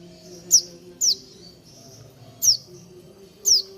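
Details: Sogon, or Horsfield's babbler, giving four loud, clean whistles, each sliding steeply downward, spaced irregularly over a few seconds against a quiet background hum.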